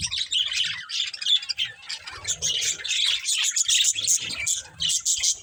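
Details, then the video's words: A group of budgerigars kept as pets chatter nonstop while playing: a busy, high, scratchy warble of overlapping chirps and squawks that continues almost unbroken throughout. "Cute Budgies Chirping Sounds"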